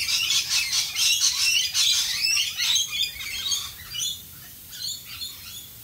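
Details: Rainbow lorikeets calling in Australian rain: a loud burst of rapid harsh screeching chatter for about four seconds, then fading to softer scattered notes.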